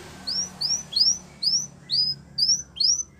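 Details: Belgian canary singing for the training of young canaries: about seven thin, clear upward-slurred whistles spaced roughly half a second apart, fairly soft, over a low background hum.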